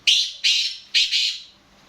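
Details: Harsh, buzzy calling of a black francolin (kala teetar): three rasping notes roughly 0.4 seconds apart, the last drawn out as a doubled phrase, in otherwise quiet surroundings.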